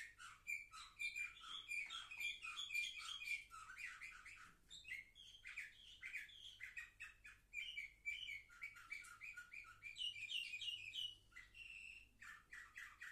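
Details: Seven-month-old canary, recorded 10 November 2023, sings a long run of bright, rapid chirps, trills and warbled phrases, high and busy, with a brief steady whistled note near the end.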